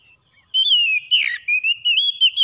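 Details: Oriental magpie-robin singing after dawn: a sustained, fluting whistled phrase that wavers up and down, broken by one buzzy, sliding note in the middle, then rising again to the end.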